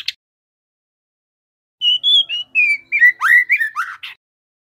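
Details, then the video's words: A young, speckled ('trotol') white-rumped shama sings one phrase of clear whistles followed by quick rising and falling slurs, ending in a raspy note. Playing this song is meant to encourage captive birds to sing. "Murai batu trotol agar cepat bunyi ‼️ Suara pancingan MB bahan supaya GACOR"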